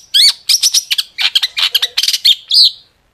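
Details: Gacor long-tailed shrike song with sharp tembakan fill: dense bursts of harsh chattering notes mixed with bright high whistles, ending in a drawn-out slurred whistle.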